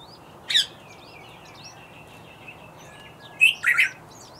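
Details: Bluethroat singing: scattered thin, high twittering and whistled notes, with two louder sharp chirp bursts near the start and again toward the end, over a steady low background hum.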